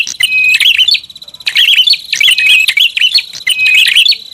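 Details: Prinia lure sound with near-continuous rapid chirping, zigzag notes and a held flat whistle, loud and busy throughout.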